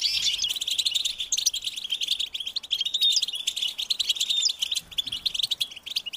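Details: European goldfinch chicks begging their parents for food with a high-pitched, insistent call: dense rapid twittering of short chirps and buzzy notes, continuous throughout, with a few clear whistled notes.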